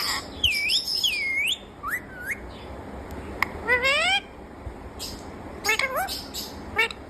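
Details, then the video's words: Talking rose-ringed parakeet known for saying "Mummy Mitthu" gives looping whistles, short clipped notes and rising, voice-like harmonic syllables, with brief pauses between bursts. "Mummy Mitthu bolne wala parrot"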